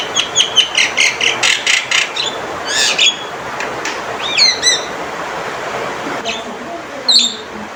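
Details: Male Javan myna calling loudly: a rapid run of about a dozen harsh repeated notes, then scattered rising and falling whistled squawks over a steady noisy background.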